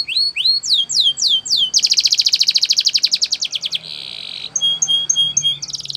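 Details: Belgian canary singing a training song: repeated sweeping upslurred whistles, then a fast, loud buzzy trill, a brief steady tone and clipped high notes, all rapid and bright.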